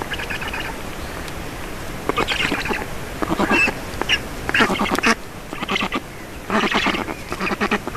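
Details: Black storks at the nest in Estonia while feeding, evening of 4 June 2019; spaced groups of harsh, pulsed wheezing calls separated by brief quieter gaps.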